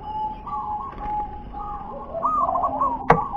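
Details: Wild local zebra dove singing in the "wer-ke-te-pek" style. A soft, wavering, rolling coo rises out of steady background hiss, followed by a sharp click.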